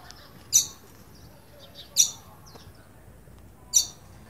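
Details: Green-winged saltator calling in fear, a call used for training and warming up birds: three sharp, very high, brief notes spaced about one and a half seconds apart over a quiet background.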